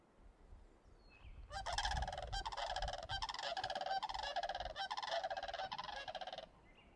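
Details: Several whooping cranes, flushed from swampy ponds just outside Yellowstone National Park after rain on a cloudy day, give loud, rolling trumpeted unison calls in rapid overlapping bursts for about five seconds, with soft outdoor background noise.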